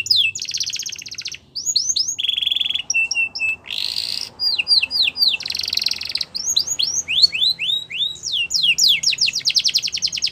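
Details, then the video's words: Canary training song with varied phrases: a rapid trill, a steady low whistle, clipped repeated notes, a buzzy burst, swooping slurs and a closing fast trill. "Canary's Most Powerful Song For Training"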